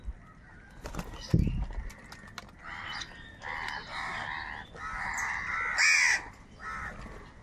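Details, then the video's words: Several crows fighting for food give a run of nasal, harsh caws one after another, the loudest near the end, with a low thump near the start and general outdoor noise. "Crow sound of kaka |কাকের ডাক Crow Sound Crow ki Awaz Loudly"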